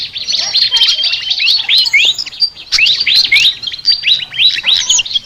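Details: Flycatcher, sikatan, in chattering song called very unique: continuous bursts of fast sliding whistles and crisp chirps, a short gap midway, then more rapid twittering phrases.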